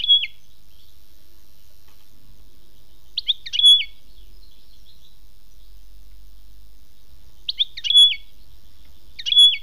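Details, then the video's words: European goldfinch singing in the khmis melyana style: short bright phrases of rising and falling whistled notes with a buzzy edge, each phrase about half a second long, repeated roughly every four seconds against a quiet background. "chant chardonneret khmis melyana"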